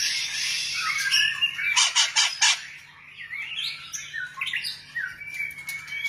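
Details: White-rumped shama singing a varied, fast song: a run of sharp buzzy bursts in the middle, then rising and falling whistled phrases and slurred notes, over a faint steady low hum.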